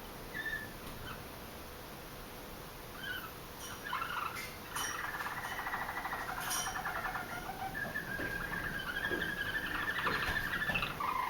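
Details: Roller canary's song practice right after its moult ended, not yet fluent: a few hesitant notes, then longer low rolling trills and pulsed buzzy runs that grow steadier toward the end, with faint clicks in the background.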